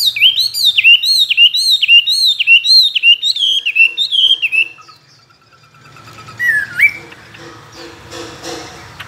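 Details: Tame caged Chinese hwamei, kept two years, a good contest singer with many wild-type voices: loud whistled upslurred notes repeated about twice a second for five seconds, each sweeping up then dropping, followed by quieter scattered notes and faint background noise.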